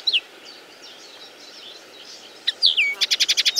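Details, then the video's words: Common Linnet song: faint twittering at first, then loud, quick, sliding notes and a fast run of about eight clipped, buzzy pulses, ending in a bright, high note. "The song of the Common Linnet"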